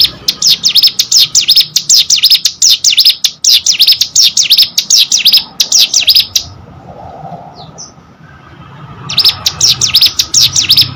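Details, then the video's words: Hill prinia kept as a pet, singing gacor: long run of sharp, high chirping notes repeated about four times a second, then a short quiet gap before the rapid series resumes. "burung ciblek gunung gacor"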